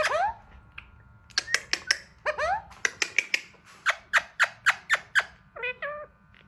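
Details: Hand-tame Alexandrine parakeet trying to talk: a run of sharp, rapid clicking squawks about four per second, mixed with rising harmonic squeals and a closing burst of short nasal notes.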